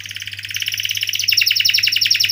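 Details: Canary roll song: a fast pulsed high trill that grows louder and slightly higher midway, notes tumbling rapidly in a dense rattling stream.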